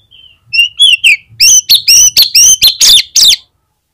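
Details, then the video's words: Lure song of an Oriental magpie-robin, used to prompt other magpie-robins into singing. Brief quiet whistles open it, then clean, loud, emphatic notes are repeated in a fast, even series before it stops abruptly. "PANCINGAN KACER GACOR"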